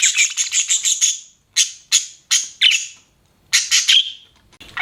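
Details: Pet budgerigar sounds as a run of harsh, buzzy squawks, some in quick clusters and others spaced about half a second apart, separated by short silences.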